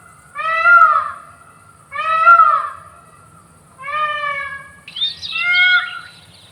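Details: Peacock calling repeatedly: four strong, nasal, wailing notes at roughly one-and-a-half-second intervals, the last overlapped by a burst of higher, scratchy chirps from another bird.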